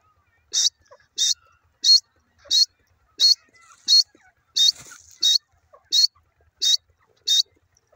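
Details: Grey francolin (teetar) calling: eleven short, harsh, high-pitched notes in an even series, one about every two-thirds of a second, with a quiet background and a faint rustle midway.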